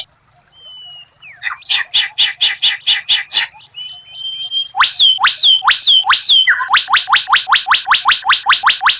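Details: Caged white-rumped shama tutor song featuring a rare, strange 'tembakan' burst style, kept for competition. A fast series of repeated sharp whistled notes, a brief pause, then louder rapid repeated notes at roughly two to three per second.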